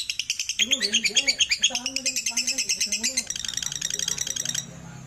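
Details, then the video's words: Lovebird therapy recording for making the bird sing: a fast, harsh rattling trill continues throughout while a lower, wavering voice-like sound runs beneath for several seconds, the chatter softening toward the end. "AMPUH...Terapi Burung Lovebird biar Cepat Gacor"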